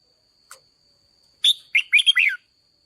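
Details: Red-whiskered bulbul used to excite decoy birds and to train a loud voice: after a faint tick comes one rapid phrase of sharp, bouncing whistled notes over a steady thin background tone.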